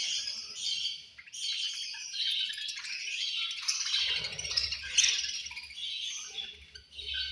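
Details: Lunch-time chorus of angry budgerigars: continuous high chirps, buzzy warbles and squawks from many birds overlapping, briefly dipping then rising again, with low rumbling toward the end.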